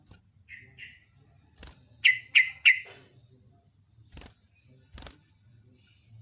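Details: Trucuk, the yellow-vented bulbul, singing actively: two soft notes, then three loud, bright, downslurred notes in quick succession, broken by sharp clicks and taps over a background hum.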